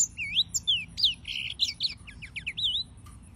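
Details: Yellow-fronted canary singing a quick jumble of high wavering whistles and short slurred notes, around three notes per second, with a faint low background murmur.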